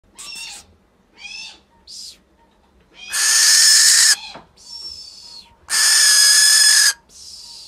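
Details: Hand-reared female barn owl chatting with her falconer in an uncommon call for the species: two long, harsh, hissing screeches of about a second each, with shorter raspy chirps and twittering calls between them.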